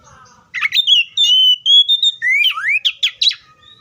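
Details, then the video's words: Oriental magpie-robin phrase of long held whistles, a dipping then rising swoop, and a quick run of three or four sharp chirps at the end. "THE BIRD COPSYCHUS SAUCARIS VOICES MUCH LONG LIKE IN NATURE!"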